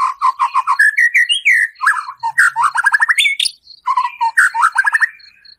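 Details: White-rumped shama song full of fill-ins and rough 'shot' phrases, played to rouse another shama's emotion: rapid repeated whistled notes, a rising slur, then dense trills and buzzy bursts, with faint high ticking behind.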